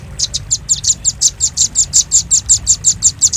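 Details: Velvet-fronted nuthatch, played to lure birds: a regular string of high, sharp, slightly buzzy chips, roughly five each second, evenly spaced throughout.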